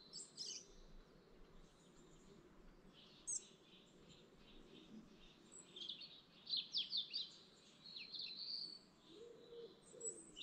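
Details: Dawn chorus by a lake in the Lake District National Park: several distant birds sing thin high chirps and short twittering phrases, with a burst of rapid notes midway and a low steady background hum.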